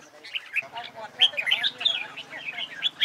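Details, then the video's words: Red-whiskered bulbul in competitive fighting-song (hót đấu) training: short bubbly, chattering whistled notes in quick bursts, with a steady low hum beneath. "CHÀO MÀO HÓT ĐẤU HAY"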